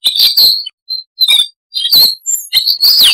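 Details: Varied chattering song of a Siberian rubythroat, noise reduced: short bursts of high warbling and whistles separated by brief gaps, ending in a rich downward-sliding whistled phrase.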